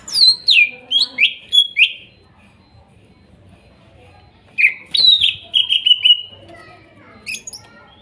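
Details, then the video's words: Greater green leafbird song from the Kuningan forest, meant to coax a bird that has stopped singing. Rapid strings of bright, falling whistles open, a quiet gap follows, then a chattering series ending in a long level whistle. "TERAPI CUCAK IJO MACET BUNYI BAHAN HUTAN KUNINGAN TROTOL DAN NOPENG"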